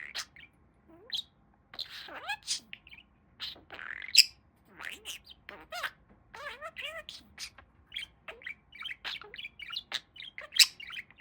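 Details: Talking pet budgerigar mixing mimicked speech-like warbles with fast chirps, squeaky rising and falling notes and sharp clicks, delivered in quick continuous bursts with brief pauses, indoors and close to the microphone.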